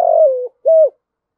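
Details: Spotted dove calling to lure other doves in the loud 'gáy gọi' style. The end of a drawn-out falling coo is followed by one rounded, arching closing note.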